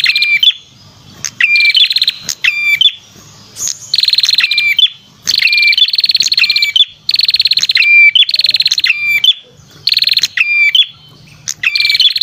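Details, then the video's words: Lure recording of a red-headed prinia: harsh buzzing trills broken by clear whistled upslurs and quick ladder-like notes, repeated in dense overlapping phrases with brief gaps and faint low background noise. "suara pikat burung perenjak kepala merah"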